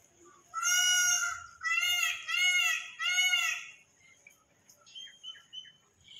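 An Indian peafowl gives three loud, nasal, wailing calls in quick succession, each about a second long, followed by softer chirps and faint background sounds.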